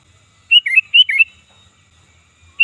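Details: Calls of a sooty-headed bulbul, strong and fierce, played to attract other birds: two quick liquid phrases, each of three fluty notes dipping and rising, then a pause and the start of another phrase.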